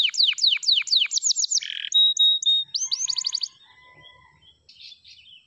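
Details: Canary song of quick falling whistles, a rapid trill and a harsh note, level whistles and a buzzy roll, trailing off into quiet faint chirps at the end.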